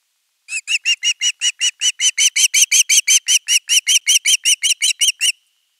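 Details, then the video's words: Osprey at nest 3 calls long for fish, 10 August 2021; a whole fish is later delivered. About twenty-three shrill, slightly buzzy whistles repeat rapidly and evenly, growing a little louder midway. "Myy huutaa pitkään kalaa"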